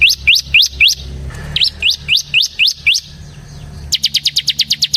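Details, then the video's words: Bar-winged prinia (ciblek), singing in a lively, energetic style used to lure and train other ciblek birds: fast series of sharp rising notes about four per second, then a quicker burst of short strident notes near the end. "suara burung CIBLEK SEMI GACOR Ngebren Ampuh untuk Pancingan Ciblek Kristal dan Masteran Ciblek"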